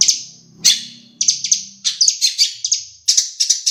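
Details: Caged long-tailed shrike, Madura type, delivering sparrow and Java sparrow imitations: clusters of sharp high chirps in quick succession, a brief gap, then more rapid chirping bursts over a faint low hum.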